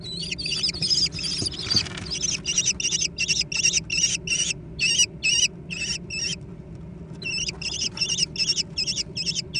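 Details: Young American kestrels competing for food call in long bursts of high, quavering trilled squeals, nearly three a second, with a short pause midway and a low hum behind.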